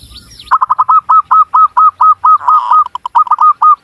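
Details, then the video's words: Local Java zebra dove in Cilacap, Central Java, sings a steady, fast series of some twenty hooked, ringing cooing notes, evenly spaced and slightly rougher in the middle, after a faint chirp from another bird. "SUARA BURUNG PERKUTUT LOKAL JAWA GACOR"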